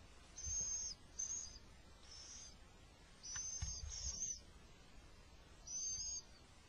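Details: Little owls in spring, the male bringing food amid an attack; repeated high, raspy hissing screeches, some long and doubled, at irregular spacing over low background noise.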